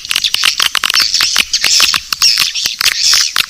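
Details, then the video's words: Swiftlets in a lure recording called Naga Birahi, meant to draw swiftlets in: quick, sharp chirps and ticking twitters in uneven bursts, with a few thin whistled notes overlapping. "Suara panggil burung walet"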